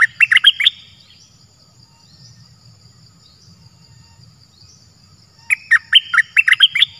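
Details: Cream-vented bulbul used as a decoy to lure a wild bird, possibly an escaped one, that would not come down to the cage: two quick bursts of bubbly, chattering notes with a thin high whine and quiet hum between.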